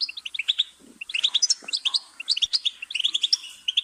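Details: A rapid, tinkling goldfinch song of sharp high chirps and short trills, delivered in a near-continuous jumble with slight shifts in pitch throughout.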